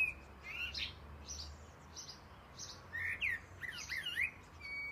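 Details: Blackbird, a pet black-and-white male, sings a morning song of short, bright, slurred phrases and twittery notes, some rising, some falling, over a faint low hum; it is known to mimic car alarms and ringing phones.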